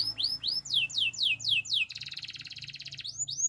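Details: Russian canary singing a run of clear curved downslurred whistles, then a rapid buzzy roll, ending with two more swooping notes; faint hum in the background.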